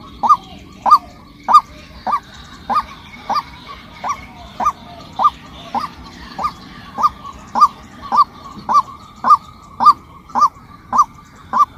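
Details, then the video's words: A steady, monotonous sequence of short nasal honks from a female white-breasted waterhen, about two every second for twelve seconds, with faint higher chatter and rustling in the background. "เสียงนกกวักตัวเมีย เสียงนกไก่นาตัวเมีย เสียงนกกวัก"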